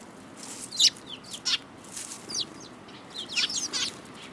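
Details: Several cute sparrows recorded on 18 March 2018, giving a lively series of short, high, sharp chirps in irregular bursts, some doubled, scattered across four seconds with soft background hiss.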